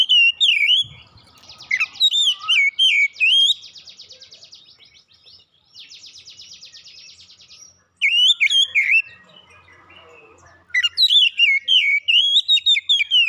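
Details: An oriental magpie-robin in full gacor song for therapy: bursts of sweet whistled, warbling phrases broken by two harsh buzzy rattling stretches, then more rapid varied whistles toward the end.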